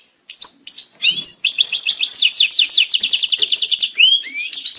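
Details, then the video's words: European goldfinch mating song for breeding condition: after brief silence, short whistled notes lead into a long, fast, evenly pulsed twittering trill, ending with upward-sweeping liquid whistles. "Saka kuşu çiftleşme sesi (saka kızıştırma)sesi"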